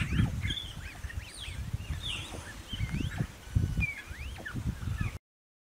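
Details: A bare-faced curassow in Emas National Park, Chapadão do Céu, Goiás, Brazil, gives deep, low, booming pulses every second or so, while other birds add scattered high whistles and chirps.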